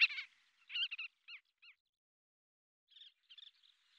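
Collared pratincole giving sharp, nasal, tern-like kik and kirrik notes in short chattering bursts, pausing briefly before a softer run of calls.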